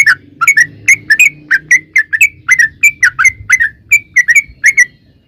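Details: Sooty-headed bulbul singing a long rolling lure song, said to be a female calling the male: quick clear whistled notes, many paired or tripled, falling and rising, delivered steadily for five seconds over a soft low background hum.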